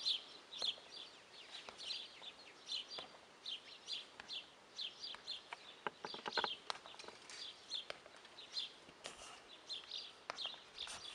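Guineafowl give harsh, scratchy, high calls repeated about twice a second in a steady chattering run, with sharp clicks and knocks in the background.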